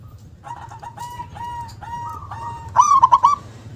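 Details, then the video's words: A run of softer, evenly spaced coo notes leads into one loud, fast stuttering phrase from a powerful local zebra dove singing with its punchy 'KUNG' accent. "perkutut lokal gacor suara besar nyentak KUNG power kencang"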